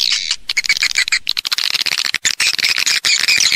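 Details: Swiftlet call plus roost sound in stereo: rapid clicking ticks mixed with high, squeaky twittering, dense and continuous, with short breaks at irregular points.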